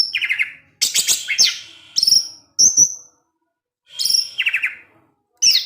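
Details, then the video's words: Evening song of an orange-headed thrush meant to provoke other thrushes: bursts of rapid high chattering and sharp whistled notes, some rising, grouped in phrases separated by brief pauses. "Anis Merah Teler DiSORE HARI, Kicauannya menggoda ANIS MERAH yg lain. sehingga ANIS MERAH terpancing"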